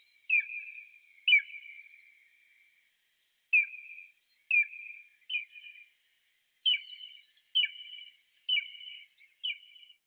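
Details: An eagle calls with a series of high, ringing whistled notes, spaced irregularly at first and then coming faster in a run of clipped, doubled-sounding whistles.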